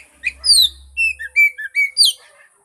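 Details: Oriental magpie-robin singing, played to coax a mute bird into song: a varied phrase of bright whistles, some falling and some level, delivered in quick bursts, with a soft low rumble during the first half.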